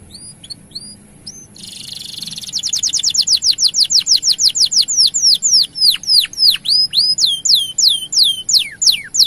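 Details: Canary in long gacor song intended to make male canaries sing: soft paired chips, a quick buzzy trill, then loud steady descending sweeps repeated several times a second to the end.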